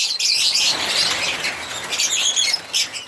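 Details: Loud, shrill twittering from chirping African lovebirds with quick overlapping high notes, fading slightly toward the end.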